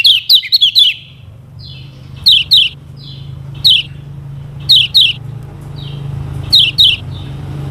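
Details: Quick bursts of two to four high sharp chirps, with thin fainter notes between, from a lemon-bellied white-eye, the Lombok yellow kecial, used to teach other birds to sing; a steady low hum sits behind.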